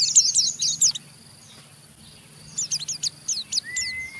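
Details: Rough ngeriwik chatter of an Oriental white-eye, meant to prompt other white-eyes to sing. A short burst of high, scratchy twittering notes is followed by a quiet pause, then a second burst of sharp chips and a thin rising whistle.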